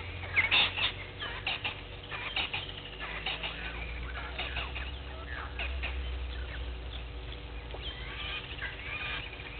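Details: Sharp clinking calls of a blacksmith lapwing by a waterhole on Djuma Game Reserve in the Sabi Sand Wildtuin, South Africa, morning 06:45, 03/02/21. A loud burst of metallic notes opens, then a looser run of fainter clinks, with other birds and low hum.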